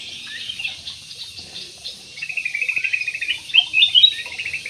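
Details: Parakeets in an aviary. Soft, scattered chirps give way to a busy, high chattering warble made of quick pulsed notes that rise and fall and grow louder toward the end.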